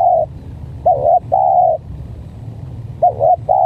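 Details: Spotted dove, part of a contest between a stuttering decoy and an unusual-voiced bird, gives rapid coos: a hoot, a dipping double note, another long steady hoot, then a second dipping note and hoot, with low rumble beneath.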